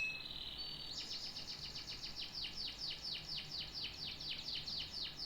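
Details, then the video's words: Canary singing a brief thin whistle, then a long even trill of repeated sweeping notes at a steady pace. "The best tweets of a canary bird"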